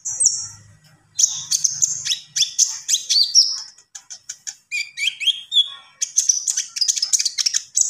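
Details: Lively common iora song: a long stream of sharp, high chirps, clipped trills and quick upslurred whistles, varied in pitch and delivered with scarcely a break, with faint low rumble at the start.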